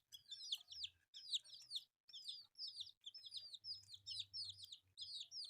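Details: Several colourful newborn baby chicks eating rice, giving dense overlapping high peeps that rise and fall in quick clusters throughout, with soft low pecking or rustling sounds underneath.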